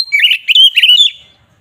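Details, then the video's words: Oriental magpie-robin (kacer) singing agitated 'ngeplong' song used to rile rival birds; a quick run of buzzy, warbling whistled notes in rapid succession, fading out after about a second. "Suara burung KACER NGEPLONG ini samgat ampuh untuk menaikan emosi lawan"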